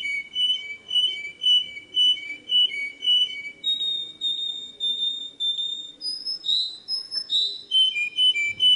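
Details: Tutor song of a canary for young birds: clear, mellow whistled notes repeated about twice a second, then a switch to higher, sliding rolled phrases and back to low whistles.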